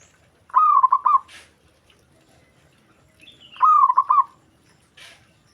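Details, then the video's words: Zebra dove calling as other doves respond immediately: two clear phrases of rapid, stuttering coos, each about half a second long and three seconds apart, in a quiet setting. "Perkutut Lain Langsung Respon Dengar Perkutut Ini Bunyi"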